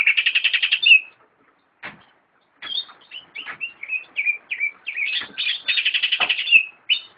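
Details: A captive greater green leafbird (cucak ijo) sings a rapid, buzzy high trill, then a varied run of short whistled and chattering notes, ending with another fast trill.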